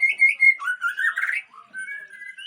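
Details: White-rumped shama, a fighter-type bird, singing a short loud phrase of clear whistles: steady high notes, then a lower warbling run that rises and falls, ending in softer thin whistles.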